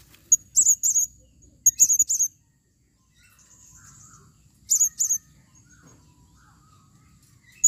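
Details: Calling female blue-crowned hanging parrot, 2021: bursts of very high, thin chattering chirps in three groups separated by pauses, with a faint softer whistle between.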